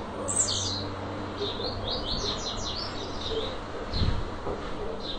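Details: A captive brownish blue-black grassquit singing while perched on a hand gives a string of thin, high, buzzy notes clustered quickly together, over a low rumble of handling and background noise.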